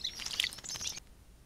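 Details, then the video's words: European robin singing, a brief burst of high, thin twittering notes and fast trills lasting about a second, then quiet outdoor background. "κοκκινολαίμης Robin"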